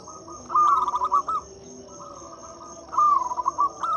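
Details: Local zebra dove song used as a lure to prompt quiet doves to sing: two bursts of quick, warbling cooing notes, each about a second long, separated by a pause, over a steady high-pitched insect whine.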